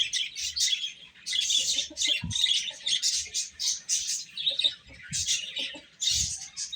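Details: Baby chickens (chicks) eating: a dense, continuous chorus of high, shrill chirps in overlapping bursts, with soft low thuds scattered between them.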